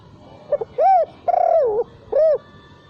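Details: Single cooing phrase of a spotted dove, used as a lure and lacking the ending 'kuk' note: two soft quick notes, a swelling arched coo, a long wobbling coo, then a short rounded coo.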